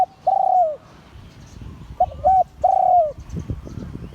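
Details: Spotted dove crowing in the Liu Tan style, an auspicious line bird: three hollow coos, a long note, a short double note, then another long falling note, over low rumbling background noise.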